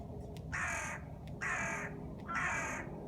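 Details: Three loud, hoarse caws from a crow said to be dancing while singing, evenly spaced about once a second, with faint clicks and a low hum between calls.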